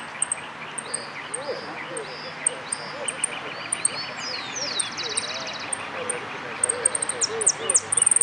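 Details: Saffron finch singing at a song contest: sharp, very high chips repeated several times a second, with a brief buzzy trill midway; murmuring voices sound in the background.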